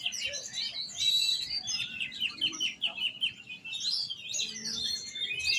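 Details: Kacer, or oriental magpie-robin, delivering a lively varied song: high whistled phrases, then a fast series of short repeated chirps around the middle, and more sweeping high notes at the end, with soft low background noise.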